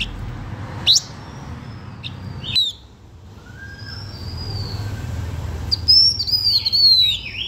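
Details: Blue-winged minla singing to lure other birds: a sharp note, then long thin high whistles gliding downward, and a louder burst of bright slurred whistles near the end, over a low steady background rumble.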